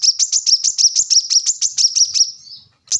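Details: Plain-throated sunbird, called kolibri kelapa or korlap, singing a rapid series of about thirteen bright, high, ticking notes that fade out, followed by a short silence and the start of a new phrase.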